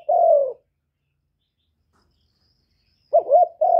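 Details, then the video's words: Spotted dove calls, meant to stimulate other doves, recorded directly with no background noise. A throaty falling coo opens the clip, then a long silence, then a wavering double note followed by another drawn-out coo. "Cu gáy hạp bổi GÁY GỌI + THÚC + GÙ + BO kích bổi hiệu quả, cu đất gáy, tiếng cu cườm gù, cu bo"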